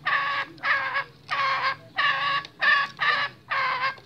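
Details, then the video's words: Male junglefowl, described as restless, uttering seven hoarse, broad cackling notes, each about a third of a second long, evenly spaced with short gaps and no other clear sounds. "SUARA AYAM HUTAN JANTAN GELISAH"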